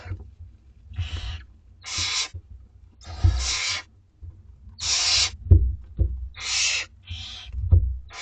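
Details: Two-week-old barn owlets at dinner time in a school garden nest give harsh, hissing screeches, each about half a second long, in six uneven bursts, with low thumps and bumps from the nest between them.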